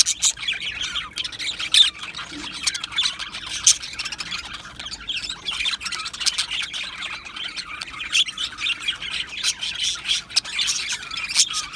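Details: Many Australian budgies chattering in an aviary, recorded 12 July 2025: steady, high twittering and scratchy squawks from the flock, with brief louder chirps popping out at irregular moments.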